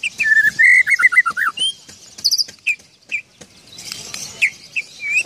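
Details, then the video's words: Oriental magpie-robin song with an imitated parking whistle: rapid clear whistles sliding up and down, then scattered chirps and sweet notes, with a faint rustle. "murai isian peluit parkir"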